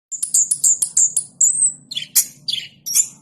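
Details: Orange-headed thrush (anis kembang) singing vigorously: a run of fast, high, piercing whistled notes repeated about every fifth of a second, a drawn-out thin whistle, then harsher scratchy bursts.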